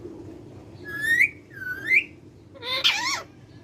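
A rose-ringed parakeet gives two rising whistled notes, then a harsh, buzzy, speech-like phrase, with steady low room hum behind.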